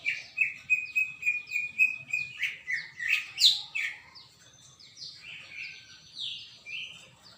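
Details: Recorded 21 December 2024, a greater green leafbird sings energetically: a rapid string of evenly repeated whistled chirps, roughly three per second, rising into louder mixed notes before fading to quieter scattered whistles.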